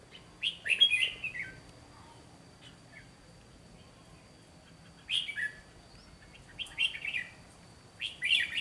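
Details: Fighting song of a red-whiskered bulbul acting as a trap decoy: a lively warbled phrase, then a long quiet gap followed by three short, sharp bursts of chirping notes.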